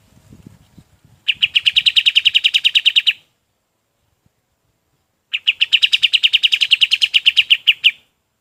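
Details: Two long, fast trills of crisp, high repeated chips from a golden-bellied gerygone, used to teach other birds. Each burst lasts about two seconds with a clear silent gap between them. Faint rustling comes before the first.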